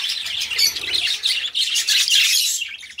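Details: Budgerigars chattering in quick bursts of high, scratchy chirps and squeaks, the warble pausing briefly twice before picking up again.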